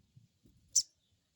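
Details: Crested jay giving the crecet call, played as a lure so an untrained bird responds quickly: a single brief, high, sharp chip, preceded by faint low thumps.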